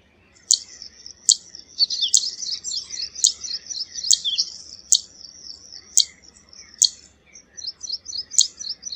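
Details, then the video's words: A Zitting cisticola (Cisticola juncidis) gives sharp, high 'zit' ticks about once a second over a busy run of thin, twittering chirps. "Zitting Cisticola call"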